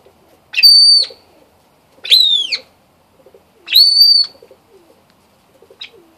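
A yellow golden pheasant hen gives three loud, high, drawn-out nasal calls about every one and a half seconds. Each ends in a quick drop. Soft low chatter sounds in the background.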